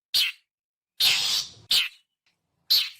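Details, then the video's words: Long-tailed shrike call used to lure wild birds: four harsh, noisy notes, a short chack, a longer drawn-out rasp, then two more short scratchy bursts, with clean silence around them. "suara panggilan khas burung cendet"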